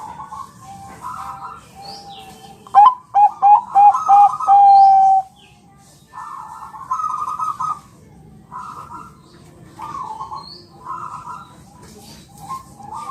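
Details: Training song of a champion Bangkok zebra dove, meant to make listening birds answer. A short burst of rapid coos ends in a held note. Many repeated, buzzy, warbling calls from other birds fill the rest.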